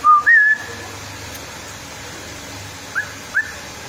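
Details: Whistling female straw-headed bulbul: a flat note and a wavy rising-falling whistle, then silence, then two brief upward-slurred whistles close together.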